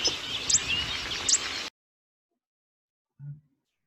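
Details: Zitting cisticola in South African grassland, where it lives in moist, low-lying depressions, giving two sharp, high 'zit' calls (the source of its name) just under a second apart over steady hiss, then silence and a soft low thump.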